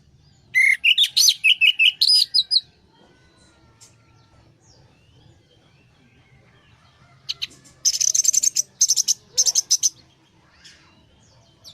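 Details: Lure of orange-headed thrush song to bring a stressed bird back to singing: a fast string of sharp whistled notes, a long quiet gap, then a burst of harsh, buzzy, rapidly repeated notes.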